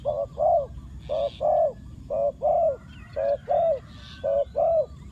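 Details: Decoy spotted dove calling to lure wild doves: low, mellow coos in close pairs, the second note longer, five pairs in five seconds, with faint high chirps of other birds behind.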